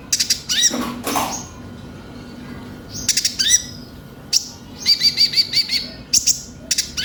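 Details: High, thin song of the konin, or Van Hasselt's sunbird, used as a lure to make kept birds sing: scattered sharp chips, then an even run of quick repeated whistled notes.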